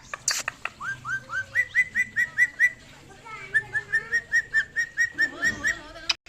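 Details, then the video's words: Pet parrot whistling: a run of short, clear whistled notes, each rising then level, repeated steadily about three per second in two bursts, with faint indoor background. "Cute parrot talking and whistling"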